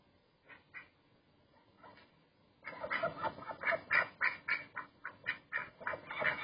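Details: Duck calling with a couple of soft quacks, then a long, loud series of rhythmic nasal quacks repeated several times per second until the end.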